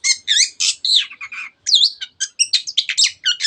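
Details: Long-tailed shrike in excited song used to trigger other birds to sing: dense harsh, scratchy notes mixed with looping whistled slurs, delivered almost without pause.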